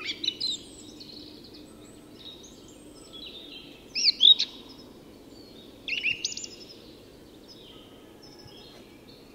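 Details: Song thrush singing at dawn in Tyresta National Park, Sweden: short, separated phrases of sharp whistled and chirping notes with pauses of one to two seconds between them, over a steady low background hiss.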